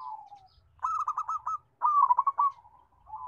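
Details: Local zebra dove with a strong, melodious voice. Two rapid pulsed trills run back to back, framed by softer, smoothly falling coos before and after.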